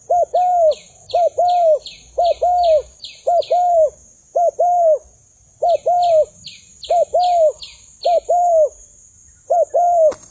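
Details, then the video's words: Spotted dove kept as a decoy and fighting with wild birds: steady series of soft, hollow paired coos, the second note drawn out, with bursts of quick high chirps overlapping and a sharp click at the end. "Pikat Tekukur Fight dengan Burung Liar"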